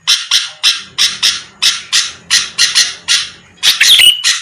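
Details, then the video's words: Sooty-headed bulbul used as a lure to provoke rival birds into responding: a fast series of about thirteen harsh, raspy chattering notes, roughly three per second, ending in a squeakier, more complex burst. "pancingan Suara burung kutilang gacor⁉️lawan langsung merespon cepat"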